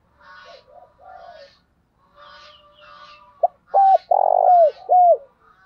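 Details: Spotted dove cooing in the 'giọng thổ' style, played to train newly caught birds: soft, muffled low coos in the first half, then a short clipped note and three loud, full coos, each ending in a falling slur.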